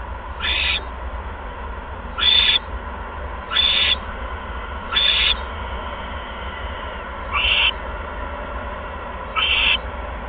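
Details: Owl at the nest on 16 February 2015 at 8:38 PM, as a second mouse is brought in; six short, sharp hissing bursts spaced one to two seconds apart over a quiet background.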